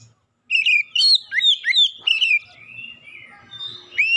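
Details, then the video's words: Oriental magpie-robin lure song for getting untrained birds to sing eagerly. A fast run of loud, varied whistles and slurred warbling notes trails into softer phrases, then one rising whistle. "kicauan pemikat Kacer bahan susah bunyi langsung gacor"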